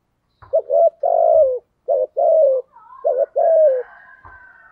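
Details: Spotted dove with a 'giọng thổ' cooing voice (thúc gù), giving three pairs of low coos, each a short note followed by a longer falling one, with a faint thin whistle-like tone near the end.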